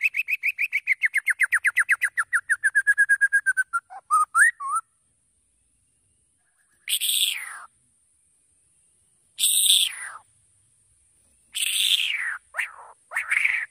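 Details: White-rumped shama song used to prompt other birds to sing and respond quickly: a rapid run of about 20 repeated chirps, then short whistles and loud harsh bursts with pauses between.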